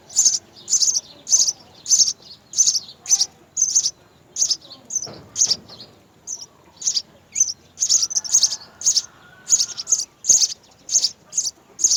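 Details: House sparrow nestlings, three young at the nest being fed by mother and father, beg with thin, high chirps repeated about twice a second in an insistent, uneven stream, with faint rustling in the background.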